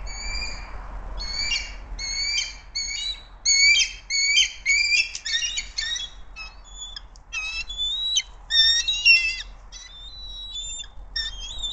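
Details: Bald eagles at a nest in Hays on 28 March 2024, as the male brings a fish to the female; high, thin chittering notes in rapid bursts with stacked overtones, repeated irregularly over roughly twelve seconds, with faint low background rumble.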